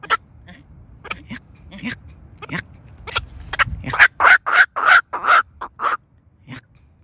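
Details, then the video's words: Calls of a decoy black-crowned night heron summoning the flock: scattered quiet croaks at first, then a loud run of rough, clipped quacking calls in quick succession before stopping. "Tiếng vạc kêu/ vạc kêu / tiếng vạc mồi/âm thanh vạc mồi/vạc kêu mới nhất"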